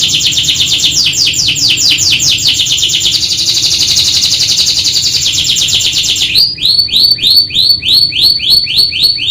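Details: Singing canary ('kenari gacor atas bawah' training song): a rapid, dense trill that flows into a sustained buzzy passage, then crisp, evenly spaced chips repeated about four times a second.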